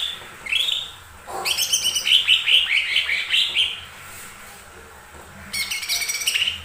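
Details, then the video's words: Lesser green leafbird song played to provoke other birds to sing: a whistled opening, then a rapid series of repeated chattering notes, ending in a dense crackling burst. "Pancingan burung cucak ijo mini"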